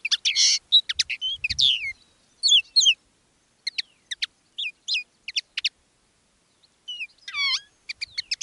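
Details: Decoy common linnet, one of two singing live with different styles; a loose, spaced song of buzzy bursts, thin chirps and gliding whistles separated by short pauses, with a faint low knock early on.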